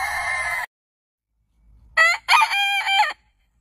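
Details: Heritage-breed rooster crowing. A crow ends, then silence, then a short, choppy crow of three or four broken syllables, loud and bright, in an otherwise quiet setting.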